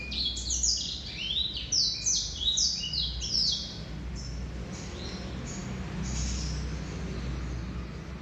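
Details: A male Black-throated canary sings a burst of fast high slurred notes for about four seconds, then the song fades to a few faint notes amid low rumbling background noise.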